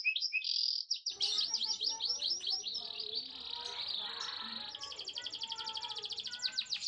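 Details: A canary's song played to hasten mating between male and female: high trills shift into a dense rapid roll, over a murky background with fainter lower sounds.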